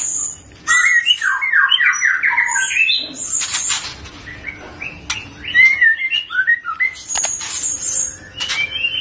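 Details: Young white-rumped shama of the Medan type, still a juvenile yet singing fully, gives a rich, varied run of clear whistled phrases, rising and falling, with thin high notes and a few harsh squawky bursts.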